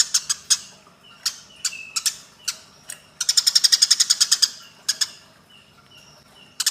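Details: Eurasian tree sparrows in a fight: scattered single harsh chirps with short thin whistles between, then a dense rapid run of chirps midway, and fresh chirps at the end.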